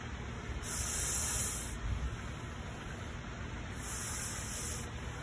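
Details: Canada goose hisses twice in the morning, each a harsh, breathy rush lasting about a second, three seconds apart, over a low background rumble.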